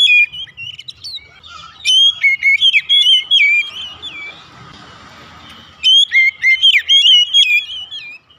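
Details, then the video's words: Lure song of an oriental magpie-robin, meant to make kept birds sing: rich whistled phrases with quick upward and downward slurs, a long quiet gap in the middle, then another lively burst. "terapi pancingan Kacer tanpa mengenal waktu | Kacer rumahan pasti gacor"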